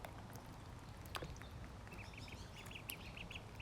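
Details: Ducklings being fed, giving thin high peeps that come in a quick run of about eight evenly spaced notes near the end, over a steady low rumble of background noise.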